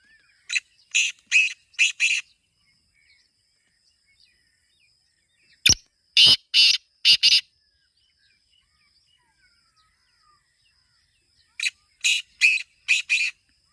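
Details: Kala teetar, the black francolin, calling in three separate phrases. Each phrase is four or five loud, scratchy, grating notes in quick succession, and long quiet gaps fall between the phrases.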